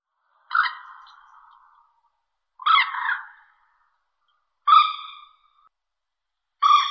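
A common moorhen gives four loud, harsh, nasal calls, one about every two seconds, each starting abruptly and trailing off into a rough fading tail.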